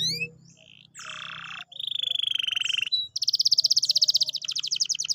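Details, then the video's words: Song of a canary meant to stimulate a quiet bird into singing: a few rising notes, a dry buzzy roll, a steady whistled trill, then a fast pulsing high trill, over a faint low hum. "pancingan kenari malas bunyi/agar gacor lagi"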